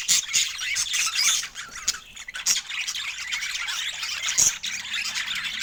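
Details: Several budgerigars chatter over fresh food in natural Scandinavian light, a lively mix of buzzy squawks, thin high whistled notes and quick twitters, with occasional clicks.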